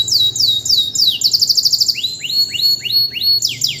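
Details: Freshly moulted canary serving as a song tutor for other birds sings at once in full voice: spaced high sweeping notes, a rapid rattling roll, then repeated rising-and-falling whistles in a lively, varied sequence.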